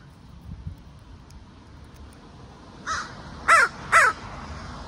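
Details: Young female crow yelling about territory with her mother, near a crow cam: a short faint caw followed by two loud harsh caws about half a second apart, over low background rumble.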